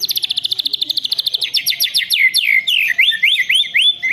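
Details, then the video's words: White-rumped shama pouring out canary-filled rolling song: a rapid, even high trill of sharp chips for over a second, then a string of quick rising and falling sweeping whistles, loud and close to a phone. "Burung murai batu isian kenari full ngeroll panjang"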